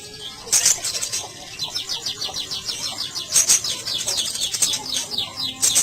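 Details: Black sunbird singing in a fast, dense jumble of high, thin chattering notes and short sweeps, with brief bursts of sharp, very high squeaky notes around the middle and end.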